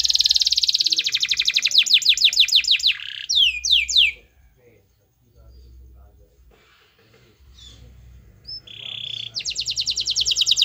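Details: Canary singing energetically, played to coax a lazy canary into song: rapid downslurred trills and sweeping whistles, a quiet pause of several seconds, then a short rattle and another fast high trill.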